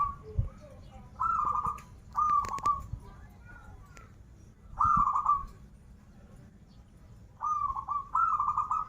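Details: Zebra dove, local Banten strain, song in krital and warung kebek styles: quavering coo phrases, several in pairs, spaced by pauses of one to two seconds, with sharp clicks and faint background murmur.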